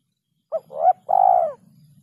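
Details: Spotted dove lure call of the kuk 2 and kuk 3 type, with rare ending notes: a single cooing phrase of a short note, a rising coo and a long, drawn-out falling coo, with faint low hum behind.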